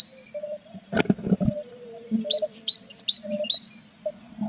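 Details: Tit nest box with chicks on 21 April: a few dull knocks and scrapes, then a quick run of about eight high, thin chirps, with a steady low hum throughout.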